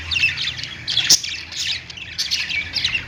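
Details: Domestic budgerigars singing on a perch, lovebirds also present: fast scratchy chattering with high squeaks and one sharp click, phrases tumbling over one another.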